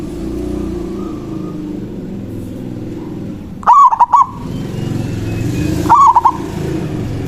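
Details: Local zebra dove singing its manggung call to summon a rival and lure other doves: two short, rapid stuttering coo phrases, the second softer, over a steady low engine-like rumble throughout.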